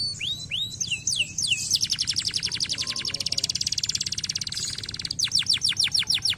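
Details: Canary singing, used to get lazy canaries to sing: upward-sweeping whistles open the phrase, then a long, fast, buzzy trill of evenly repeated notes, closing with a string of clear descending sweeps.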